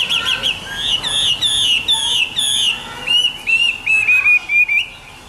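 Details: Morning song of a hwamei: loud, clear whistled phrases with sliding, downward-slurred notes, delivered in a fast, varied series of bright repeated figures.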